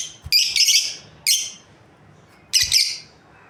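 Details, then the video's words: A breeding pair of lovebirds gives harsh, shrill chirps in three quick bursts about a second apart, high-pitched and screechy, with a quiet room behind. "Amazing Lovebirds Chirping Sounds"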